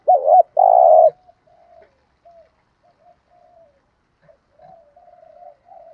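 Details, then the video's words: Spotted dove lure recording in the gù thúc cooing style, used by trainers to stir wild doves, with male and female birds. Two loud, low, hollow coos open, the second long and buzzy, then faint soft cooing continues. "tiếng chim cu gáy mồi gù thúc"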